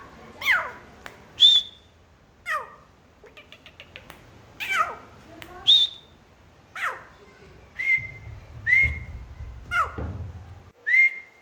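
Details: Black francolin calling: loud, clear whistled notes, each a sharp falling sweep followed by a short steady high whistle, repeated several times with pauses of one to two seconds, and a brief rattling burst midway.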